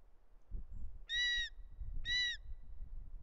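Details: Young Bonelli's eagle screaming while the male parent zigzags in to deliver a snake, at a nest in Els Ports Natural Park, Catalonia, 13 August 2023. Two loud, harsh, harmonic screeches, each under half a second, about a second apart, over low rumbling background noise.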